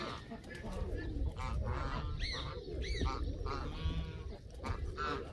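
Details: Canada geese honking, clear upward-sliding nasal honks near the middle standing out from a chorus of other geese, with heavy low-frequency rumble.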